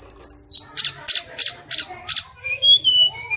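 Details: Sulingan from Kokap, Kulon Progo, Yogyakarta, a small mimicking songbird: brief high whistles, then five harsh buzzy notes evenly spaced about three per second, ending with gentle whistled slurs.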